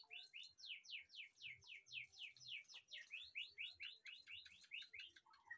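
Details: White-rumped shama singing in an aviary behind the house, a fast rhythmic series of about twenty descending slurred whistles, roughly four per second, ending in a brief low twitter.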